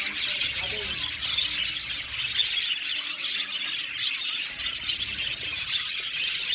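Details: Budgie aviary colony chirping, opening with a fast run of evenly spaced sharp chirps, about four per second, then merging into dense overlapping warbling chatter.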